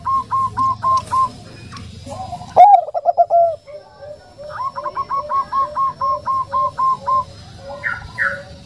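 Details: Gentle 'nutut' cooing of a Bangkok-type zebra dove, a female said to be calling a male: repeated short notes, a rising coo with a rapid stutter, then a long even series of soft beats.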